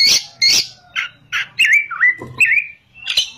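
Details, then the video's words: Oriental magpie-robin singing actively in a rolling, high-shooting style: harsh scratchy bursts alternate with clear whistled notes that bend up and down, plus a loud final chirp, with a faint low hum behind. "kacer gacor ngerol,nembak"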